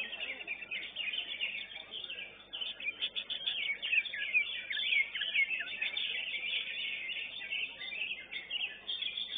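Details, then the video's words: Greater green leafbird singing in a bird-song competition: dense, continuous high warbling of rapid whistles, chirps and trills, with faint voices in the background. "CUCAK IJO"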